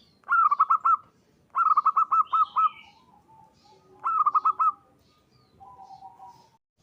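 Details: Local zebra dove calling to other doves, its voice used as a lure. Rapid staccato cooing comes in three clusters of several notes each, separated by quieter, lower, drawn notes, with a faint higher twitter after the second cluster.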